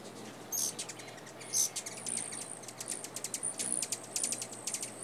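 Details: Juvenile male Black-chinned Hummingbird in North America giving very high, dry chips in quick, uneven bursts with a few sharper squeaky notes, over a thin steady insect-like whine.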